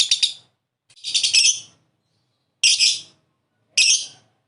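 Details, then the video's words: Lovebird chattering in four short, harsh bursts of high, raspy notes. Each burst lasts under a second and is separated by brief silences. "Masteran Burung lovebird Ngekek"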